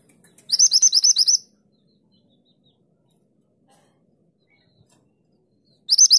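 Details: Mantenan gunung in lively song of the 'tulit tulit' style, recorded as a master for training songbirds: a quick burst of about nine high, sharply rising whistled notes, a long silence, then another burst begins.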